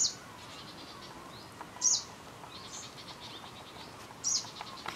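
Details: A lanceolated warbler on Christiansø, Ertholmene, on 30 July 2012 gives three short, sharp high calls about two seconds apart, with soft chirps and a faint hiss in the background.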